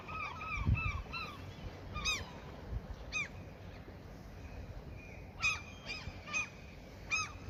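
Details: Gulls fed at a fishing spot utter a quick series of bent, yelping calls, then a pause, then scattered sharp calls again near the end, with a low thump early on and steady background hiss.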